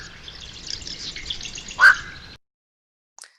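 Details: Black-crowned Night Heron, a nocturnal heron that roosts in cattails or tall grass by day, gives a single short, harsh barking squawk over a steady background hiss, then the sound cuts to silence.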